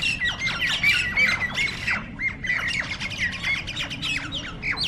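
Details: Several jalak nias starlings fighting in a mob attack, giving harsh squawks and rasping shrieks in dense, overlapping bursts. Sharp, slurred notes are repeated rapidly and irregularly, with a low background rumble.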